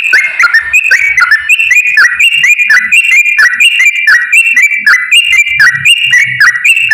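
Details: Straw-headed bulbul pouring out continuous fast 'ropel' song, used as a lure for lazy bulbuls: loud rolling warbles repeated almost without pause, each phrase bubbling up and down in quick succession.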